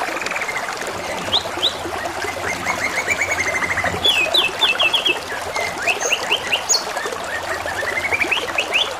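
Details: Steady canary singing with a water trickle throughout, mixing long buzzy rolled trills with quick clusters of sharp descending notes.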